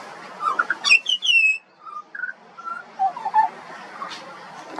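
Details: Juvenile pied butcherbird singing: a run of clear, descending whistled notes with bright overtones, followed by lower, mellow fluted phrases that rise and fall, with quiet background hiss.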